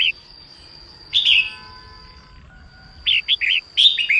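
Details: Female red-whiskered bulbul singing in the morning to excite males. One long slurred warble is followed after a pause by three quick bubbling chirps and another descending warbled phrase, with a faint steady whine behind.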